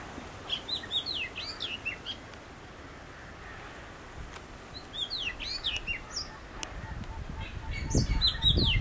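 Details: Oriental magpie-robin from a pair that came visiting, giving sweet whistled phrases of swooping and slurred notes in separate bursts, with faint low rumbling noise beneath.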